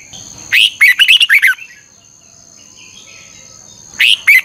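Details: Red-whiskered bulbul used as a lure bird, singing bright 'ché' phrases with a double-twisted voice: one quick run of loud twisting whistles, a quiet gap, then the opening notes of another phrase.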